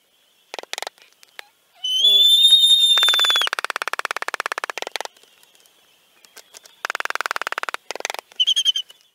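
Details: Two Laysan Albatrosses court, trading rapid, dry, clattering bill rattles and a high, clear, slightly rising whistle, then ending on a short nasal whistled burst.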